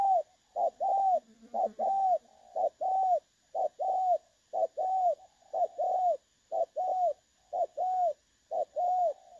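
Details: Spotted dove, clear 'đồng son' voice, decoy recording for trapping dated 16 August 2024. Steady paired coos, a short note then a longer arched note, repeat each second. A low faint coo is heard early on.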